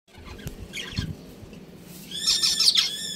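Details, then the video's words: Budgerigars of a breeding pair kept as a family: after scattered soft chirps, a burst of bright, high warbling chatter rises near the end over low background rumble. "Relaxing Bird Sounds | Budgies Breeding Pair"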